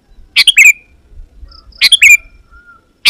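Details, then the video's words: Sooty-headed Bulbul sings to call rival birds, meant to draw wild ones close: two quick bubbly chirping phrases with a short trailing whistle, then the start of a third, with faint thin tones between them. "Suara Burung KUTILANG GACOR Memanggil Lawan Burung Kutilang Liar Auto Nyaut dan Mendekat"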